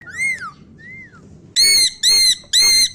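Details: Pet parrot imitating a dog's bark, indoors: two thin, arched whistles, then three loud, harsh, bark-like squawks about half a second apart.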